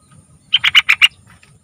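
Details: Sooty-headed bulbul song played to draw young bulbuls into singing: a single quick run of five bright, bubbly notes, evenly spaced and clear against near silence.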